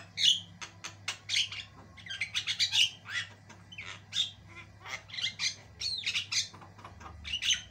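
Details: Lengthy, highly varied singing from a white-eyed Javan myna used as a tutor recording: harsh chatters and squeaky whistles follow each other in quick succession, with a faint steady hum underneath.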